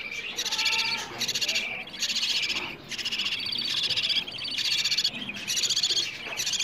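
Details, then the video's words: Budgerigar chicks begging for food, played so that budgies are stimulated to mate and lay eggs: harsh raspy high cries in pulsing bursts about a second long, separated by brief dips. "وفي الأخير، أحببت أن أسمع صوت الطيور وهي تطلب الأكل، وهو تحفيز لطيوركم على التزاوج أو زيادة الفراخ بإذن الله."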